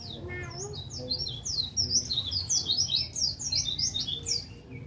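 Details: White-eye song used as tutor material for songbirds, a dense run of quick, high, chirping and slurred twitters delivered without pause, with a few lower soft notes and a faint background rumble.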